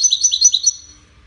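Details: European goldfinch, one of five competing in a best-song contest, in the widaniya style; a brief burst of bright, tinkling twitters that fades out within a second.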